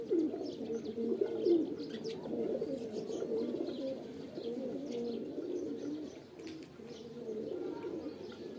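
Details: Low rolling pigeon coos overlap in a thick chorus, louder in the first seconds and then softening slightly, with light tapping noises in the background.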